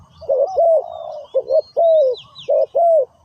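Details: Spotted dove cooing, a sound used in bird trapping; a series of low, mellow coos, short notes followed by longer drawn-out ones, with faint thin bird calls higher up.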